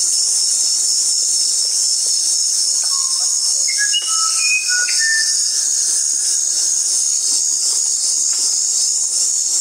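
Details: Musician wren singing a melodious series of clear, pure whistled notes at varied pitches, some rising and some falling, over a loud constant high hiss of insects.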